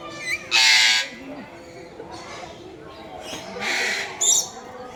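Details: Red lory giving harsh, loud, broadband screeches: two long grating bursts about three seconds apart, with shorter squawks between them, over low human speech in the background.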